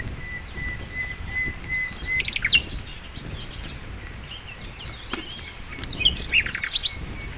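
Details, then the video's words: Flycatcher (sikatan londo) singing vigorously, recorded as a master for training songbirds: a long thin steady whistle followed by clusters of high sharp chirps and quick up-slurred notes, with faint background hiss. "masteran mewah sikatan londo gacor"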